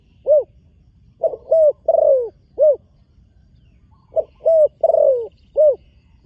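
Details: Young spotted dove in training, on the competition ground for the first time, gives clear mellow cooing phrases: a single coo, then a run of three coos, one drawn-out, repeated twice.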